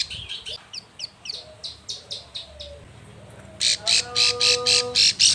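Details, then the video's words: Plain prinia female in breeding condition calling to the male; soft downslurred chips at first, then a loud run of rasping, buzzy high notes repeated about four times a second. "Ciblek sawah betina birahi memanggil jantan"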